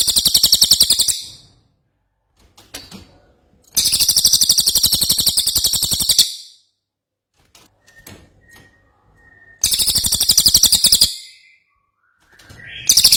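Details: Ashy tailorbird in full, energetic song, kept as a tutor recording for cagebirds: three loud bursts of fast, high-pitched pulsing trill, each lasting one to two and a half seconds, separated by quiet gaps with scattered clicks and short notes.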